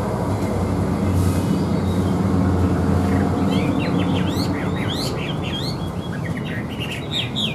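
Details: Caged Chinese hwamei song heard over loud low rumbling noise: faint at first, then a stream of quick, sharp whistled notes in the second half.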